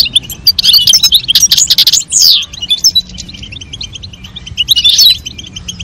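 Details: European goldfinch, male singing and female calling to stimulate mating: rapid high tinkling twitters and trills in bursts, a loud twittering run near two seconds, then quieter phrases and a final burst near five seconds.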